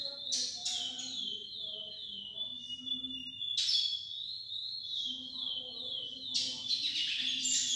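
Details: Lesser seed finch song played as a tutor while a young bird listens: long, clear whistled phrases that slide up and down, broken by brief rasping bursts near the start, middle and end, over a faint low hum.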